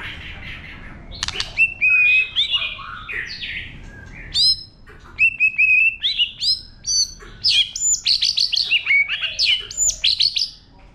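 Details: White-rumped shama singing wild-type song to stimulate birds: sharp clicks, steady whistles and warbled phrases, then a fast series of bright whistled notes with upward sweeps, repeated rapidly toward the end.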